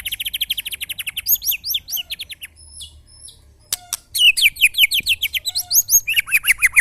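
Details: White-rumped shama in a mental-strength test beside neighbouring birds sings a rapid, even trill of high notes. A pause with sharp clicks follows, then a lively stretch of varied upswept and down-slurred whistles.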